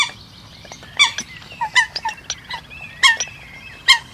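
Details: Eurasian coot calls: short harmonic squeaky notes and nasal yelps in irregular bursts, some with a faint drawn-out whine between them.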